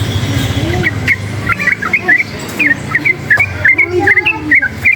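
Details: Noise-excited forest-type yellow-vented bulbul gives a busy stream of chattering whistled notes over strong low rumbling and some lower wavering sounds.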